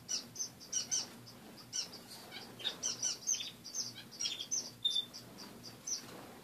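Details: Several caged finches indoors in the morning, their cage mostly bare after cleaning; short high chirps and tweets come in quick irregular bursts from more than one bird, with faint wing flutters and a low steady hum beneath.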